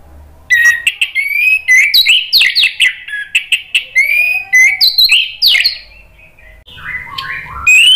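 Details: An orange-headed thrush sings, a recording meant to prompt another bird to answer and sing freely. Long continuous stream of varied loud whistles, slurred upsweeps and chattering notes, ending in softer lower warbled phrases.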